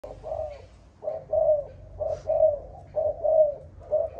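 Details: Malaysian-line spotted dove of the 'âm thổ' (earthy-tone) voice style cooing: low, hollow two- and three-part coos repeated about once a second, with a faint low hum behind.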